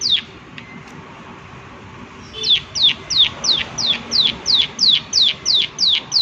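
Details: Rapid 'klik klik' calling from a prinia: after two quiet seconds, a steady run of about twelve sharp, high downslurred clicks, evenly spaced several per second, loud and clear over faint background hiss.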